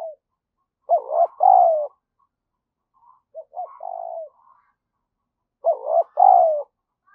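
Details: Spotted dove used as a decoy, giving urgent 'gáy thúc' calls and 'gù' coos to excite wild doves: two short clipped notes then a long, mellow, falling coo, repeated about every five seconds, with faint softer coos between.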